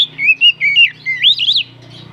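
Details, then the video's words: Oriental magpie-robin song used as a lure to excite other birds: loud, clear whistled phrases of about eight slurred notes rising and falling in quick succession over two seconds, over a faint low steady hum. "Pancingan burung kacer naikan emosi"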